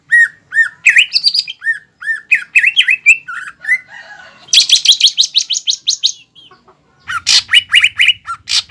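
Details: Energetic green leafbird song packed with imitated fighting phrases, used to provoke another leafbird; slurred whistles and hooked notes, a burst of fast sharp chirps, a short gap, then more chattering notes.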